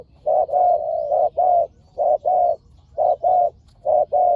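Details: Spotted doves, a fiercely matched pair in a decoy-luring contest, give deep hooting coos in uneven clusters. Short and long notes mix, with brief pauses between groups, and the calling stays dominant throughout.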